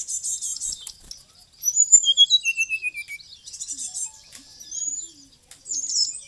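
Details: White-rumped shama of Bali origin singing hard with a full, varied song. High buzzy trills lead into a falling sequence of about ten clear, evenly paced whistled notes, followed by scratchy warbling.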